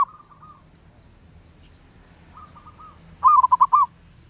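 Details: A wild zebra dove keeps singing: two soft, thin trilled phrases followed by one loud rolling burst of about five quick cooing beats, over a faint low background hum.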